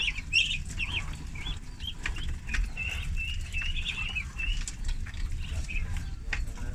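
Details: Young ducks, thirty in a farm flock, feeding; bright high peeps with quick upward inflections, many birds calling in a loose rapid stream over low rumble.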